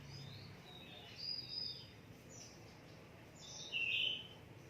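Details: Contest-ready caged oriental magpie-robin gives a few high whistled notes, then a louder, fuller phrase toward the end, over a soft constant low rumble.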